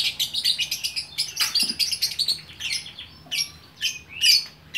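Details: Caged lovebird in Bukittinggi, West Sumatra, Indonesia, kept as a 'gacor' singing bird: rapid bursts of high, sharp chirps and shrill twittering, in quick uneven phrases with brief pauses, loud and continuous.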